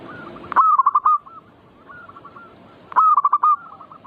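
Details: Manggung song of a zebra dove, used to provoke other birds to sing: two loud phrases about two and a half seconds apart, each a drawn-out coo breaking into rapid stuttered notes, with a fainter dove answering between them.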